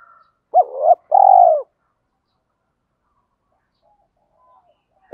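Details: Spotted dove giving a loud, clear coo used to lure wild birds: a short hooked note then a longer, slurred low coo, followed by near silence and a final clipped note at the end.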